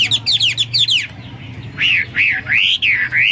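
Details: Hwamei singing ('gacor'): quick high twittering notes, then a string of loud, clear, swooping whistles rising and falling.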